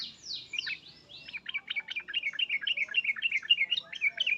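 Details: Sooty-headed bulbul calling emotionally: a few soft, sliding, downward-swept notes open into a rapid, jerky chatter of bright notes, with faint low background hum.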